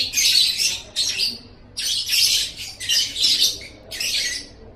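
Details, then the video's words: High, gritty lovebird chatter from a training recording for caged songbirds: five separate loud bursts of rapid squeaky notes with clear silences between them. "Masteran Suara Burung Love Bird"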